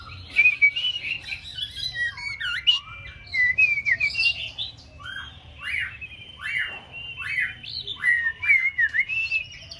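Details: Young white-rumped shama, six months old, practising singing: a long, varied sequence of sweeping whistles, downslurred and upslurred notes and chips, delivered in rapid bursts with brief gaps.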